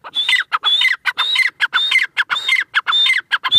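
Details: Irani teetar, a francolin, heard as a pair: loud, grating call notes in a quick, uneven run, nearly two per second, each a harsh buzz topped by a clear whistled streak, with no other sounds.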